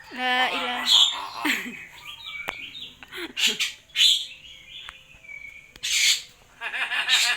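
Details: Speech-imitating common hill myna saying words like "Assalamualaikum", with nasal voice-like syllables, sharp clicks, level whistled notes and several loud hoarse bursts scattered over about seven seconds.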